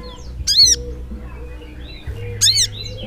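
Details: Brown-throated sunbird (sogok ontong) calling nonstop in the chattering 'gacor ngleper' style. Two loud, harsh, rasping notes with bright overtones come about two seconds apart over a low background hum.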